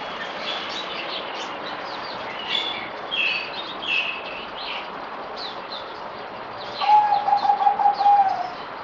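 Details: Kept zebra dove (merbok), fourth day after deworming, 17 April 2020: scattered high chirps from other birds first, then a short run of rapid, evenly spaced cooing beads near the end.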